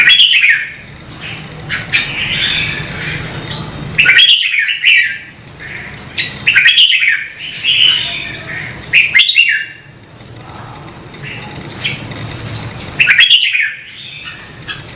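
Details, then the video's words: Red-whiskered bulbul, kept and stimulated to sing, repeats bursts of bright warbling phrases with thin rising whistles roughly every two to three seconds, separated by brief silences, with a low hum behind. "CHÀO MÀO | Kích chim nhạy hót - Thúc chim hót hay căng lửa"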